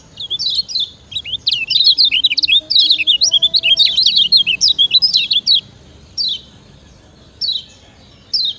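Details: Lemon-bellied white-eye master song used for training other birds: a long, dense, rapid chatter of high squeaky twitters lasting several seconds, then scattered single chirps; faint low tones behind.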